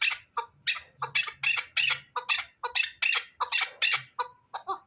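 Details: Hybrid fighting chukar partridge calling a quick series of harsh, high, grating notes, some doubled, ending in a few softer lower clucks.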